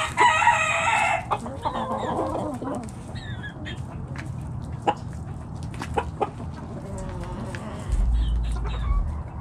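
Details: Backyard chicken flock foraging in the morning; a loud harsh crow-like call opens, followed by scattered soft clucks and low murmurs over a steady low rumble.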